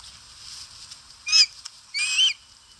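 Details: Osprey at a nest on a live camera in Satakunta, Finland, August 2022, while eating; two short harsh high whistled calls with a rising-then-falling pitch contour, about half a second apart, over a faint steady background hiss.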